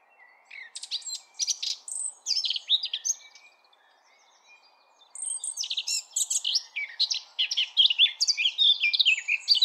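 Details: Eurasian blackcap song: fast scratchy twittering and chattering notes in two bursts separated by a pause of about two seconds, busy and varied, with faint low background hiss.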